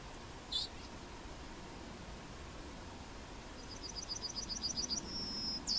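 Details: Yellowhammer (Emberiza citrinella) at Plochocin, July 2013: after a lone high chip, a rapid string of bright repeated notes starts and ends in a sustained high note, over a quiet hiss.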